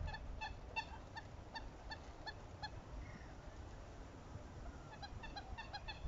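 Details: Southern screamer calling during pair-bonding: a series of short, honking, harmonic notes repeated about every half second, with a pause midway before the series resumes, over a steady low rumble of background noise.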